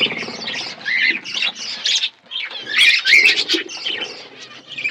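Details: Budgerigars in an outdoor aviary producing uneven bursts of buzzy chatter and thin chirps, with a short quiet gap near the middle.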